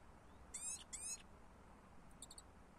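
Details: European goldfinch giving two drawn-out nasal, buzzy wheezing notes back to back, then a brief patter of faint high chirps, with low steady hum underneath.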